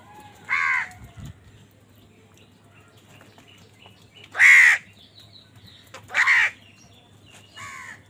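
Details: Crows squabbling over food: four loud, harsh, nasal caws spaced irregularly across several seconds, each a rough burst, with a faint low hum underneath.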